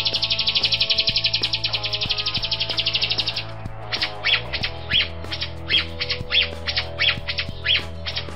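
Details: Grosbeak starling, also called red-rumped myna or rio-rio, a Sulawesi endemic, singing as a tutor recording for songbirds such as the white-rumped shama: a dense buzzy rattle, then separate buzzy notes about every half second over steady background music.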